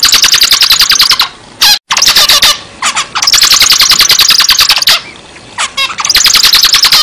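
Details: Zebra finch singing loudly, a fast run of sharp, buzzy, nasal notes repeated several times a second in bursts lasting about a second, broken by short pauses with a few scattered softer chirps.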